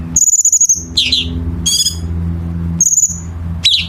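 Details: Chinese bulbul training song for competition birds with sharp, tight harsh fill: a high pulsed whistle, a buzzy downslurred note and a stacked rising burst, with low background hum.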